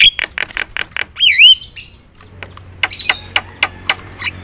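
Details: Loud Javan myna song with full fill-ins, meant to rouse other mynas: rapid harsh chacks, a ringing wavering whistle that dips and rises, then scattered sharp clicks and a low steady hum.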